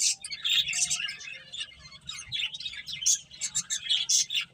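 Several finches chirp at once: a busy, overlapping stream of high, bright tweets and short squeaky notes, with no pause and nothing else heard.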